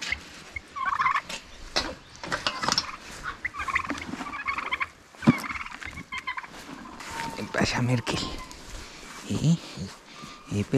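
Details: Laying hens at their morning feeding routine on a smallholding plot, heard with only ambient sound: scattered clucks and short squawks among rustling, scratching and clattering of feed and footsteps.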